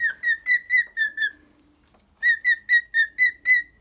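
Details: Pet cockatiel singing: a run of short, clear whistled notes about four per second, each slightly falling, a brief pause, then another equal run of bright repeated whistles in a quiet room.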